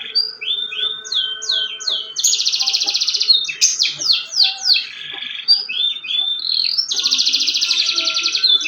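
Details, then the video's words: Canary in full song: repeated downslurred whistled notes, a long buzzy trill, a burst of fast descending sweeps, a low rattle, rising whistles and another trill, all loud and continuous. "BURUNG KENARI GACOR DOR"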